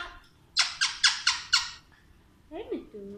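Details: A pet talking Alexandrine parakeet, with its owner saying "good night" and "aajao", gives five loud, harsh squawks about a quarter-second apart, then a brief, wavering, voice-like phrase.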